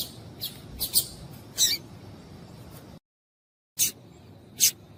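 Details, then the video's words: Female double-collared seedeater calling to urge males into song: scattered thin, high chirps, a brief full silence, then two more isolated sharp notes. "Piado de Fêmea de Coleiro para Esquentar Coleiro"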